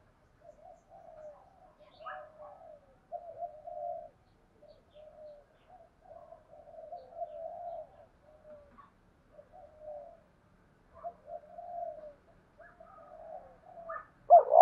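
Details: Female spotted dove used as a decoy, singing in the 'giọng đồng' style to lure wild doves in. Soft, low coo phrases repeat steadily for about fourteen seconds, with a few brief higher chirps and a sudden louder burst at the end.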